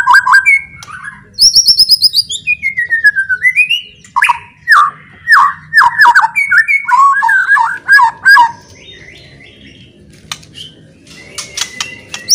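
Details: White-rumped shama delivering a loud provoking song meant to stir rival shamas to sing and fight: high trills and a falling whistle, then a long series of harsh, rapidly repeated chattering notes, a quieter gap and a few scattered whistles.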